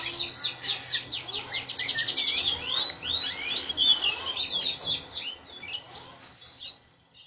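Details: A male canary in breeding condition, paired and ready to breed, sings fast, high rolling trills and quick repeated chirps, phrase after phrase, with only a faint low hum behind.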